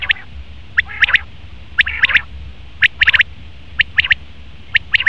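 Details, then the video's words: Male common quail calling: sharp three-note phrases, high and clipped, repeated about once a second with short gaps, and a softer nasal note near the start over a low steady rumble. "Best Common Quail Male sound/Nar batir ki awaz"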